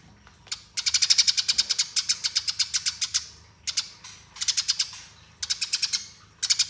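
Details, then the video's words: Fighting-style Eurasian tree sparrow chirping, rolling nonstop, recorded as master for training songbirds: a quiet start, then fast strings of bright, piercing chips in dense volleys with short gaps between runs. "Masteran Gereja Tarung Ngeroll Abis"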